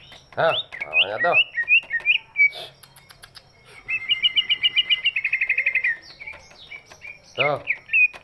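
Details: Greater green leafbird with a big body, whose song serves to lure lazy birds into singing: slurred whistles, then a fast even trill of sharp notes, with low harsh bursts at the start and end.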